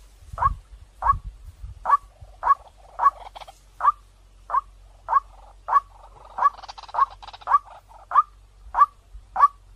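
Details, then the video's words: Clear white-breasted waterhen lure call with a string of short, abrupt notes spaced about every half second to second. Faint low rumble is heard at the start and a soft scratchy sound in the middle. "เสียงนกกวักต่อ2020 เสียงใสเข้าเร็วมาก"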